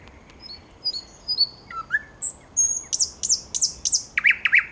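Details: Thrush nightingale (Luscinia luscinia) song on 9 August 2022: thin high whistles and brief chirps, then loud rattling notes about three times a second, growing richer and deeper at the end.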